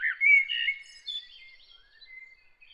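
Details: A bird sings early in the morning: a loud, quick warbled opening that fades into thin, high, drawn-out whistles and faint twittering.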